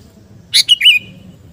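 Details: Single phrase from a Sooty-headed bulbul (kutilang garuda) singing gacor to build fighting spirit: a sharp chirp, then a liquid, slurred whistle that drops and trails off, over soft low background noise.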